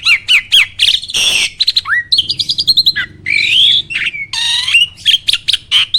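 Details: Varied starling song meant as a training recording that provokes other birds into singing. Short whistles alternate with long harsh rasping bursts and a rising slurred whistle, with loud notes packed densely throughout.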